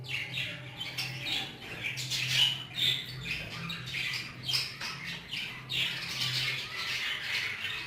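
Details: Hagoromo budgerigars crowded in an aviary give harsh squawks and rapid high chirps in uneven bursts, with a low mechanical hum running underneath.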